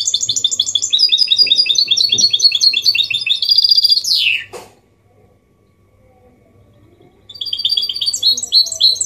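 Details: Goldfinch mule delivering clean 'copia malaga' song for training males and chicks; fast sparkling twitter and trills finish in a steep descending buzzy slur, a few seconds quiet, then twittering again.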